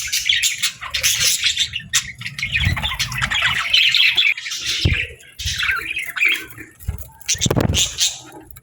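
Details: Pet budgies chattering at feeding time: dense, busy warbling and scratchy chirps with squawky bursts running throughout, plus dull thumps and low bumps from the cage or feeding.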